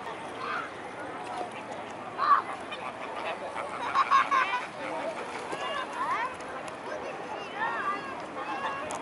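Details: A gathering of mute swans at Blaues Wunder on the evening of 22 May 2016, 19:25: scattered nasal honking calls, with a louder cluster in the middle, over steady crowd murmur and background noise.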